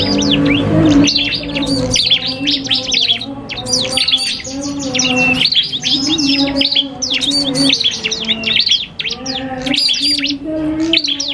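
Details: Iora called cipoh kristal in a song duel with a prinia, a training track for songbirds: repeated bursts of high chirps and whistled slurs separated by short pauses, with a low steady hum.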